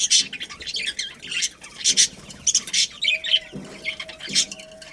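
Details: Budgies in a breeding colony squawking and chirping in harsh high bursts, separated by short gaps, with a steady faint tone running through the latter half.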